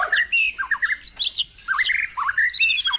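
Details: Caged-bird stimulation recording of white-rumped shama song: a dense, fast jumble of slurred whistles, squeaky chips and high tinkling notes, loud and almost continuous.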